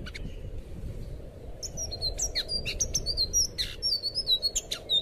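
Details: Song of a blue thrush, the anis biru, for training captive birds: after a faint start, a quick stream of high slurred whistles and sharp chirps, roughly four notes per second, over steady low background noise.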